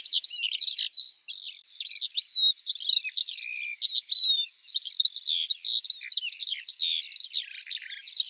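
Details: Sustained Eurasian Skylark song: a breathless torrent of sharp chirps, twittering runs and thin whistles, rich and varied, pouring on for the whole stretch with only momentary dips.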